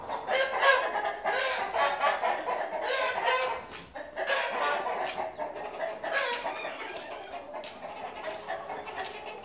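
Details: Chickens on a farm, heard during a short walking tour of the farm, giving a steady run of busy, overlapping clucks and cackles that rise and fall in loose bursts, with no long pauses.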